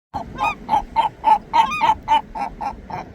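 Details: Seagulls giving a fast run of short, nasal, honking calls, about three to four per second, evenly spaced and fairly steady in pitch, with a few higher rising squeals mixed in over a low background rumble.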